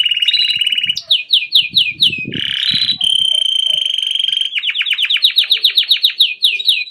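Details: Song of a grey Belgian canary: fast descending trills, a harsh burst, a sustained pure high note, then long runs of rapid rolling notes repeated several times per second; slight background knocking.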